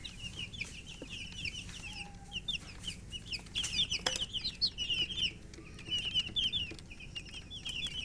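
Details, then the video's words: A group of domestic chicks wanting water chirps in shrill, wavering peeps, at first sparse and then thickening into a busy overlapping chatter, with occasional clicks and taps in the background. "Murgi chicks Chirping sounds with thirst for drink water"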